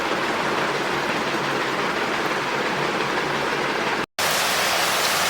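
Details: Steady rushing noise like heavy rain or a waterfall, briefly cut to silence near the end, with no animal voice.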